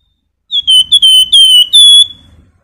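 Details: Flamboyan, a pet songbird, singing to provoke other birds to sing: a loud, clear whistled phrase of sustained high notes broken by short gaps, with faint rustling beneath.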